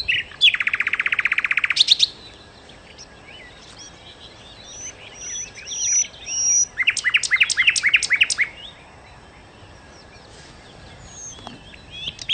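A nightingale sings varied phrases: a dense, buzzy rattle, then thin high whistles and a rapid run of sharp repeated notes, with quiet pauses between.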